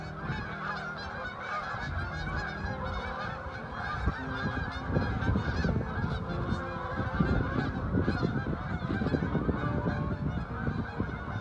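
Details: Over Lake Okabena in Worthington, Minnesota, flying flocks of geese honk continuously, a thick chorus of nasal calls rising in volume midway, with low background rumble.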